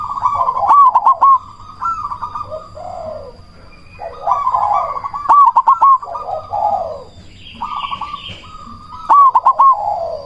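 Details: Black cemani zebra dove calling loudly as a lure to raise other doves' breeding drive and make them answer. Bouncy stuttering coos and rolling purrs are followed by low descending notes, in repeated phrases. A brief higher buzzy note occurs near the end, over a faint whine.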